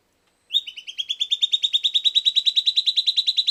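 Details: Song of a silvered antbird (Sclateria naevia) given after playback, a rapid steady trill of clear chipping whistles, roughly six per second, climbing gently in pitch and growing louder across three seconds.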